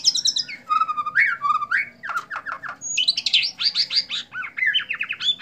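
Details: White-rumped shama performing a bowing display, singing a rich, varied song of whistled phrases, rapid trills and sharp repeated notes that jump between low and high pitches, with no pause across the whole stretch.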